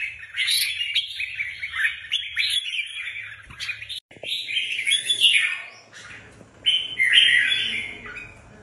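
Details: Red-whiskered bulbuls readied for a contest sing bursts of quick chattering warbles, a brief click and near-silence midway, then further bright slurred phrases and a final loud run.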